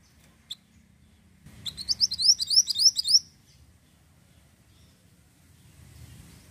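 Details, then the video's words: Ashy tailorbird singing a quick burst of about a dozen high, sharp upswept notes in a rapid, even trill lasting under two seconds, with one brief click before it and quiet low background rumble. "MANTENAN GACOR"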